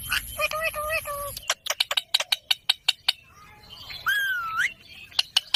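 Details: Green parrot making a short nasal phrase, then a run of sharp clicks, a long looping whistled note that rises and twists, and more clicks to finish.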